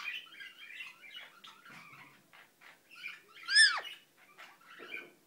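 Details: Indian ringneck parakeet kept as a pet, mumbling quietly to itself: a stream of soft garbled chatter, interrupted by a single loud, bright squawk that drops sharply in pitch, then more muttered syllables.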